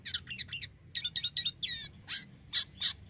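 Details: Black-winged myna in lively full song, used to lure other mynas: a rapid series of harsh, chattering notes in quick bursts, some whistled, spaced by short gaps over about three seconds.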